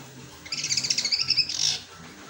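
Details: Kept long-tailed shrike singing a song filled with sparrow-like phrases, its voice described as below its best: a dense, high, rapid twittering chatter of about a second, swelling toward a brief buzzy end, over quiet room noise.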